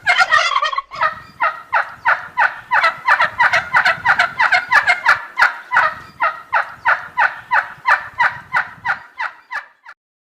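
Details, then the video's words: A turkey gives a long, fast gobbling run of rapid rattled pulses, roughly three per second, for about nine seconds before stopping. "صوت الديك الرومي _turkish baird sound"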